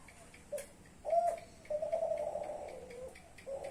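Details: Young Klantan-type spotted dove from a champion line cooing: a brief note, a loud emphatic hoot, then a long level coo that fades downward, with faint ticking in the background.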